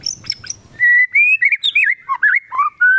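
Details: White-rumped shama in full song with kapas tembak fill-ins: a few high chips, then a flowing string of rich whistled notes that rise, dip and wobble, ending in a clear sustained whistle.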